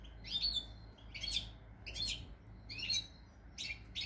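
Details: European goldfinch song from February 2020, likely a kept bird indoors: liquid twittered phrases repeating roughly every second, each a quick cluster of bright chirps and slurred notes over a low steady hum.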